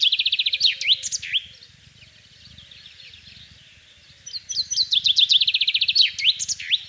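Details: Common chaffinch singing in spring in the countryside of central France, recorded 24 March 2012. Two bright, high song phrases of rapid repeated notes, each ending in a quick flourish, with a quiet gap of about three seconds between them.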